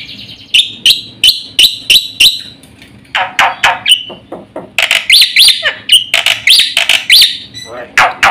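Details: Black-winged starling in full, fast-paced song, used to stimulate and tutor other birds: loud harsh chattering notes repeated about every third of a second, then bursts of rasping, whistled and squeaky phrases, with faint low background hum.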